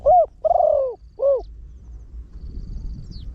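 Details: Spotted dove, a trained bird with a deep voice used to attract wild ones: a short coo, a long downward-sliding coo and a final rounded coo, part of its rapid 'khan thi' crowing, then low noise.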